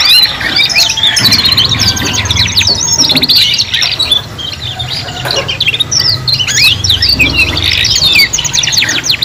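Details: Juvenile canaries practising song together, producing rapid high twitters, short rattling trills and upswept whistles in a crowded overlapping chorus, with a faint low hum beneath.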